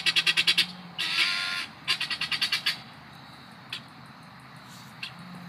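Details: Guineafowl giving quick strings of rasping, chattering notes, a burst of six then a noisier squawk, another series of harsh pulses, then scattered single clicks over a low steady hum.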